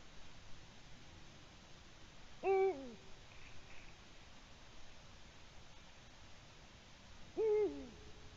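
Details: Eurasian eagle-owl on a nest camera at 6:16 p.m., 21 March 2020, carrying a small gray mammal, possibly a shrew; two deep hoots with a falling end, spaced about five seconds apart against quiet room-like noise.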